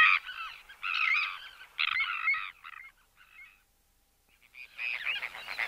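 Sandwich Tern giving harsh, grating, rasping calls in a quick run of bursts, a brief pause, then another loud burst.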